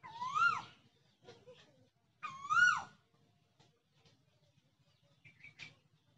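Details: Village Asian koel song: two strong upslurred whistles about two seconds apart, then quiet with a few faint distant sounds.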